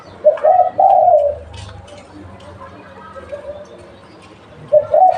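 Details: Local spotted dove used for luring, giving a hoarse two-part coo at the start, a long quiet gap with soft murmuring, then the phrase beginning again at the end.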